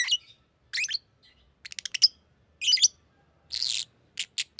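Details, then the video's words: Green lovebird chirping: harsh scratchy bursts mixed with rapid rattling clicks and a longer raspy screech, in an uneven rhythm. "Green Lovebird Chirping Sound"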